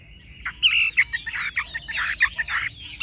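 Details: Tame, caged Chinese hwamei singing: a string of harsh, scratchy bursts broken by a few bright, clear whistled notes. The phrases run quickly and unevenly for about three seconds.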